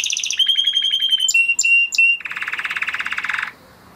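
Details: Crested Spanish Timbrado canary bred in 2020, a flock bird, in training song: fast trill into a level held metallic roll, three short clipped notes, then a dense buzzy rolling trill ending abruptly.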